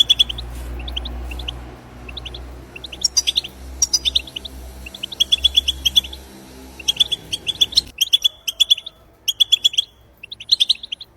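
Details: European goldfinch recorded in the wild to prompt other goldfinches to sing: bright, high chirped notes in quick bursts with short pauses, and a low rumbling hum during the first eight seconds.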